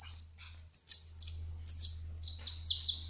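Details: Kolibri ninja, the brown-throated sunbird, in trotol speckled plumage, singing a gacor rolling phrase: bright high whistled notes, several falling in pitch, given in quick succession over a steady low hum.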